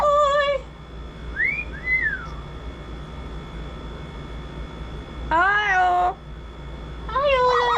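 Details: A pet Double yellow-headed amazon, rescued after 36 years in a cage, gives three loud, nasal, meow-like calls, with two soft rising-and-falling whistles between them, over a low indoor hum.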